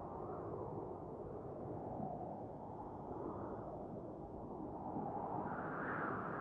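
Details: A quiet, continuous rushing noise, like wind or distant water, with no animal call anywhere.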